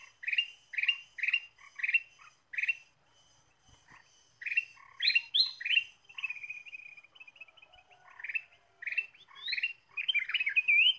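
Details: Lively ruby-throated bulbul (kutilang emas) song used to lure birds: bursts of sharp chirps in quick series, a fast thin trill midway, then jumbled whistled notes, with a constant faint high whine in the background.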